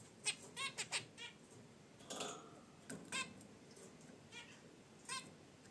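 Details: Zebra finches in their cage by a wicker basket nest make nasal honking chirps in short bursts, plus a brief rustling sound midway, unedited indoor recording.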